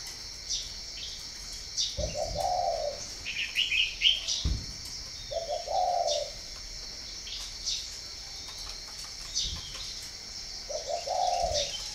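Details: Spotted dove at a dove breeding farm in Ba Vi, northern Vietnam. Three low, mellow cooing phrases come several seconds apart. Higher chirps from other small birds and occasional dull thumps fill the gaps.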